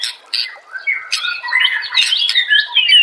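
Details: White-rumped shama song from a songbird training master: a dense, scratchy medley of harsh squawks, clicks and warbled notes that builds to a continuous, busy chatter.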